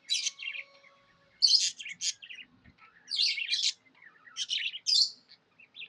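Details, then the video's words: Contented pet budgie chattering: bursts of loud scratchy chirps and warbles separated by short gaps, with a faint low thud midway. "Happy budgie chirping sounds"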